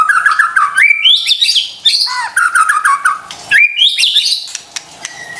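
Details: White-rumped shama song used as a lure to provoke stressed or quiet birds into singing: rich varied whistled phrases, rising and falling, with rapid note changes and short pauses between bursts.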